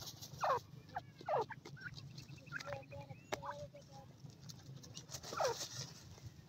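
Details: Feeding grey francolin chicks, ten days old, on green grass: loud, steeply falling peeps near the start and end, with softer chirps between, over a low droning background.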